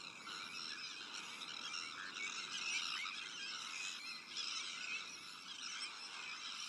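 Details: Breeding Sandwich terns massed in a colony with black-headed gulls, Arctic and common terns, giving a thick chorus of scratchy, harsh calls, some sharper cries rising above the din around the middle.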